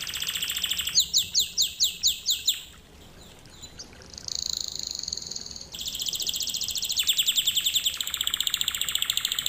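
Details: Canary singing as a lesson: a run of swooping repeated notes, a quieter warbled passage and a held whistle, then long fast rolled trills.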